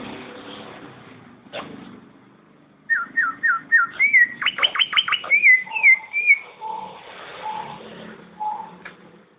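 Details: Greater green leafbird in competition-quality song: after a quiet start, a run of slurred whistles speeds into loud, sweeping chattering notes, then shifts to lower, softer whistled notes spaced about a second apart.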